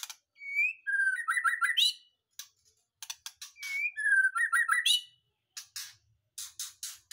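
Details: White-rumped shama (murai batu) kept in a cage, just moved from its breeding cage and singing: a clear whistled note, then a fast rattling descending phrase, repeated twice, between dry clicks.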